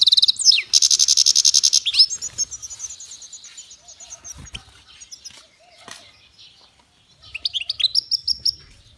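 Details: A goldfinch-canary mule sings, opening with a loud, fast buzzy trill, then sliding into softer high twittering and slurred notes, a pause, and a final burst of rising chirps and short trill.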